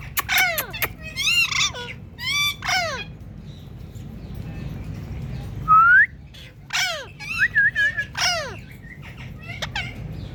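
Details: Indian ringneck parakeet kept as a talking pet, giving repeated sharp descending squawks in bursts, a clear rising whistle near the middle, then more harsh downward calls and brief chatter.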